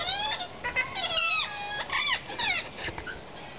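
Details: A wild flock of rose-ringed parakeets chattering at a porch while visiting a caged chick: dense, overlapping harsh squawks and screeches that swoop up and down in pitch, with barely a pause between calls.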